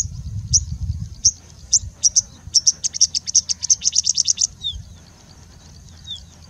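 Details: Singing bushlark in India singing and mimicking: spaced high chips speeding into a rapid accelerating trill of about fifteen notes, then two faint descending whistles after a pause; low background rumble.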